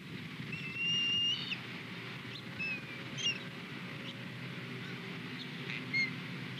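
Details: Osprey at a Skidaway nest on 21 February 2020, 08:07, during a morning fish delivery from male to female: one clear drawn-out whistle, then a few faint short chirps scattered over several seconds, against a steady low rumbling noise.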